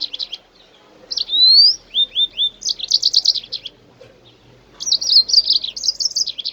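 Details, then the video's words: Jasmine bird song, played to encourage other birds to sing: high sweet whistled phrases with quick rising slurs, a run of three descending notes, then dense chattering trills after a short pause, set against a faint low background murmur. "تغريد طائر الياسمين او طائر الكوكريت لتحفيز الطيور"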